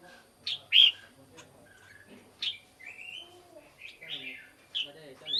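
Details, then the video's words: Black-crested bulbul in a decoy recording meant to lure birds: scattered loud chirps alternating with longer warbled, gliding phrases, with soft lower-pitched murmuring in the background. "เสียงนกปรอดเหลืองหัวจุก Black crested bulbul Sound"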